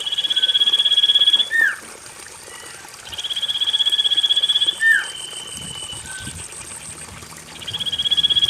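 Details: Common iora song used as a lure to prompt silent or lazy caged birds into singing: rapid pulsed trills held level about 1.5 seconds, each closed by a short downslurred note, repeated several times over a steady high hiss.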